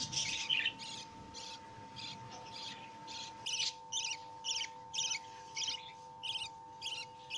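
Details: Baby lovebirds, newly hatched, calling while being fed by their mother; short high squeaky chirps come in spaced bursts about twice a second over a constant hum.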